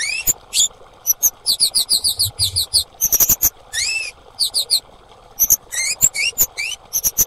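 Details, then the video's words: Calls of a female orange-headed thrush, played to coax mute or stressed birds into singing; rapid runs of thin, high chirps alternate with rising slurred notes, delivered in clustered bursts over a steady low background hum. "Suara Terapi KEMADE BETINA - AMPUH Memancing bunyi semua burung kemade bahan yang bisu stres macet"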